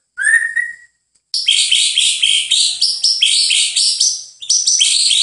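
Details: White-rumped shama song: a clear rising whistle, then after a short pause a loud rich run of varied chirps and warbled high phrases.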